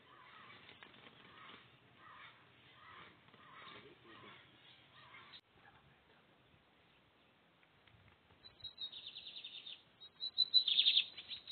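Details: Captive lined seedeater from a Brazilian breeder's 2023 season: a person talks first, then after a pause the bird bursts into loud, fast, high trilled phrases near the end.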